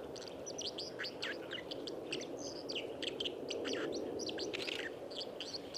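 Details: White-throated dipper on the Lieser in Wittlich, Germany, recorded in 2019: scratchy, high twittering phrases and clipped chirps spilling out steadily over loud, continuous river noise.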